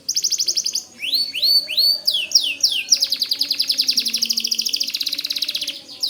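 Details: White canary singing hard, used to tutor white-rumped shamas: rapid high chirps, a series of arched sweeping whistles, then a long steady rolling trill of fast repeated pulses.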